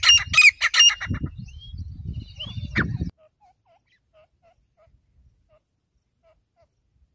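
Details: Wild native grey francolin (teetar) calling: a burst of loud, shrill, ringing notes repeated rapidly in the first second, then a short rising whistle near three seconds, over low rumbling handling noise; faint soft chirps follow in near silence.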